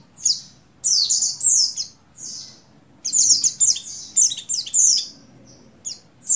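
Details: Breeding female Oriental white-eye, buxtoni, calling for a male: rapid clusters of piercing high chirps that fall in pitch, three to four in a row, with short pauses between groups and a faint hum behind.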